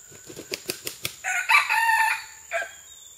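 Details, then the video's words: Red junglefowl recorded on June 12, 2011: a run of about six sharp wing claps, then a harsh, strained crow lasting nearly a second and ending in a short clipped final note, over a steady high hiss. "Red Jungle Fowl"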